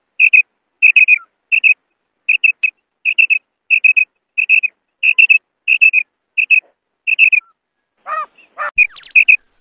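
A female quail gives high, clear paired notes, quip-quip, repeated about every three-quarters of a second. A few lower sweeping sounds come near the end.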